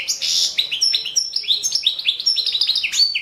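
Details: European goldfinch, subspecies balcanica, in a 2017 World Championship in Goldfinch Song entry: a short buzzy note opens a brisk run of clear, bouncing chirps and twitters repeated several times a second.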